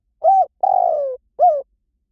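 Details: Dove call used to lure wild birds: a short arched coo, a longer steady coo sliding slowly downward, then another short falling coo, all in under two seconds with no other sounds.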